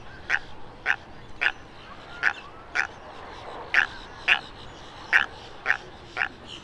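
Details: A tricolored heron gives about ten short, harsh croaks, roughly two per second at an uneven pace, over a faint steady background hiss.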